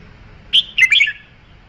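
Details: A red-whiskered bulbul sings a high opening whistle followed by a tumbling cluster of three or four quick, slurred notes dropping lower, clear over a quiet background.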